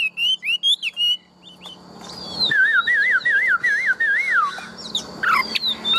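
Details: Tame Chinese hwamei kept caged, large build, opening with quick whistled notes, then after a pause a long wavering, yodel-like warble rolling up and down, ending in sharp high notes.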